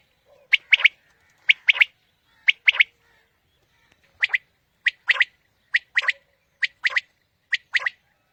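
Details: Quail calling, as used to lure birds for morning hunting: crisp, sharp two- and three-note bursts repeated about once a second, each note short and bright, with clear silence between the groups.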